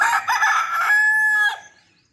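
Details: A rooster's morning call: a single loud crow, a harsh broken opening that settles into a long, steady held note before cutting off abruptly.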